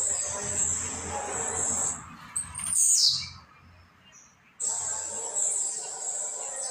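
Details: A Blue-black grassquit practising its song at home: one bright, buzzy downward sweep around the three-second mark, followed by a near-silent gap, with a high hiss before and after.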